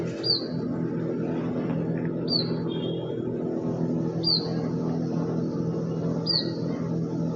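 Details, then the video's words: Bird calling outdoors in pleasant weather: four sharp, high, falling whistled chirps repeated every two seconds or so, partly masked by a constant deep droning hum. "Bird chirping sound in this beautiful Mausam"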